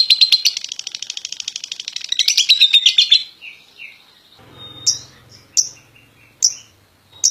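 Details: Champion contest lovebird in 'ngekek' long chatter: three seconds of fast, raspy, pulsing notes, then a pause and a few sharp, spaced squeaky chips about a second apart, with a low hum beneath.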